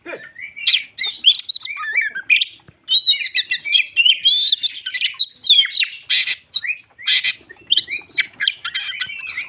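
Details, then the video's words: Captive white-crowned shama in full song meant to rile other shamas: rapid, varied whistles, sweeps and harsh chattering notes in dense bursts, a short gap near the start, continuing energetically to the end. "Burung Kacer jambul lagi teler pancingan Kacer bikin emosi burung bahan"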